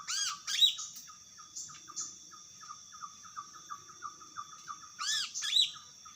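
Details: Wild greater green leafbird singing energetically: loud, rich whistled phrases with sweeping notes open the clip and return near five seconds. Between them, a steady run of short clipped notes repeats about three times a second over a constant high hum.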